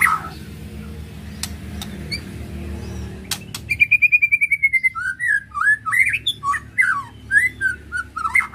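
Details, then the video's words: White-rumped shama song played to provoke emotion: after about 3.5 seconds of low hum and a few clicks, a fast series of repeated chips leads into varied clear whistled phrases, rising and falling, some slurred. "Ketrekan Murai Batu Untuk Merangsang Emosi"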